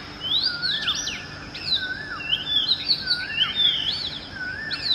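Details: Early-morning song of an Oriental magpie-robin: bright, sweet whistles sliding up and down, with high slurred notes and a lower curling whistle repeated about every second. Soft constant hiss behind.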